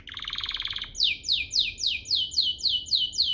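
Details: Canary song played to provoke other canaries into singing: a short fast buzzy trill, then a regular run of about eight loud descending swoops, repeated roughly every third of a second.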